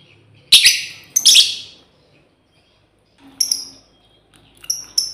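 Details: Calling female lovebird summoning its companions: two harsh, buzzy screeches close together, then after a pause a series of thin, high, falling whistled chirps.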